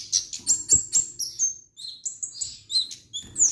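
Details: Kemade, the orange-headed thrush, in full lively song: a rapid string of high, piercing chirps followed by thin slurred whistles that drop and rise, with short pauses between phrases.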